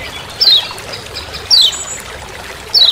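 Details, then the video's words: A lemon-bellied white-eye in forest gives three thin, high, down-slurred 'ciak' notes about a second apart over a faint, quiet forest hiss. "Kecial Kuning Ciak Ciak"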